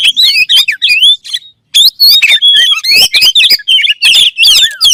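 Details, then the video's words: Oriental magpie-robin (kacer) song used to set kacer birds singing; looping whistled phrases and harsh high chatter in quick runs, one brief silent pause midway. "THE KACER BIRD IMMEDIATELY WORKS AFTER HEARING THIS VOICE"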